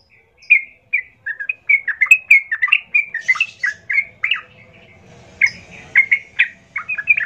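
Yellow-vented Bulbul pouring out a lively, bubbly run of short gurgling and chirping notes, several each second, with a brief pause midway.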